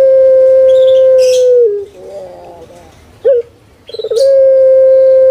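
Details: Kept puter pelung dove, a bird prized in Indonesia and especially Java for its voice, giving long, steady, level coo notes, then a short gurgling break and a sharp note, before another drawn-out steady coo.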